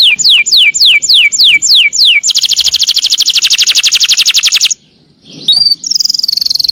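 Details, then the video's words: Canary giving a long roll for tutoring other birds: repeated descending whistles, then a fast, even high trill lasting over two seconds, a pause, and a further steady trill. "burung kenari ngerol panjang pas banget buat masteran"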